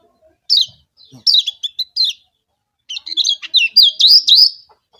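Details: Lombok kecial kuning, a yellow white-eye, sings a lure song meant to set rival birds singing. High, thin, twisting whistled phrases come in two bursts separated by a pause. The second burst is a longer run of rising and falling notes.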